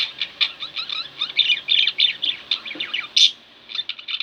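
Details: Two pet budgerigars at home warble loudly in a rapid, jumbled run of high chirps, clicks and short slurred notes, easing briefly near the end before chattering on.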